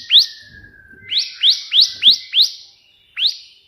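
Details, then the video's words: Bar-winged prinia in 'tembakan' burst song for training other birds: a single upswept chirp, then five rapid rising notes and one more after a pause, with a faint level tone early on. "burung ciblek gacor versi tembakan perenjak putih"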